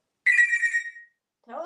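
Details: Einstein, a talkative male African grey parrot hatched in 1997 and living in Texas, imitates a telephone ring on a windy day: one steady, bright, electronic-like tone under a second, then the start of a spoken word ("Telephone").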